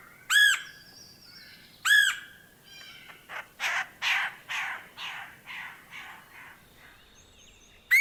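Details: Red-headed Woodpecker from Missouri, a bird of open woodland with widely spaced trees and little understory. Its calls are screechy and angry-sounding: loud, harsh, ringing notes spaced about 1.5 seconds apart, with a run of rougher rasping bursts between them.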